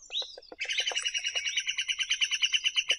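Great spotted woodpecker: a brief rising whistle, then a fast, steady chatter of sharp high notes, about nine a second, with faint background chirps.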